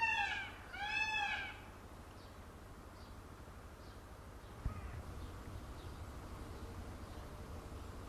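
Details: Dancing peacock with feathers fanned open gives two loud, harmonic, arched wailing calls in quick succession, less than a second apart, then quiet low background noise with faint distant chirps.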